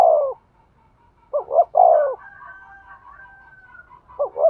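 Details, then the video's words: Spotted dove cooing to stimulate a male: deep, hoarse coos, one falling coo at the start, a quick double coo, then a longer rolling coo, a faint steady tonal hum after it, and another double coo closing. "tiếng chim cu gáy thúc gù, tiếng chim cu gáy kích bổi"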